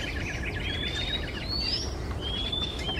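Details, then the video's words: Male Oriental magpie-robin in Singapore singing in the afternoon; two long upward-sliding whistles stand out above a busy chatter of faint notes and constant low background noise. "Sweet singing Male MAGPIE-ROBIN, Singapore"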